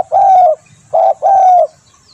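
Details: Spotted dove call for use as a bird lure: a long mellow coo, a brief pause, then a short coo followed at once by another long, slightly falling coo.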